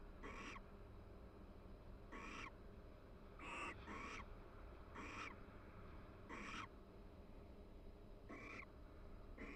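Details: Quiet pair-bonding chatter from two barn owls preening in their nest box at the University of Florida; short breathy, hissing notes spaced one to two seconds apart, with steady background hum.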